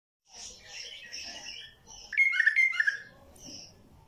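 A bulbul gives soft, chattering warbles, then a loud burst of rich, bubbling whistled notes lasting under a second, followed by one brief high note.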